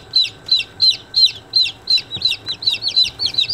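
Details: Day-old baby chicks peep in high, downward-slurred notes, about three per second, with several birds overlapping toward the end.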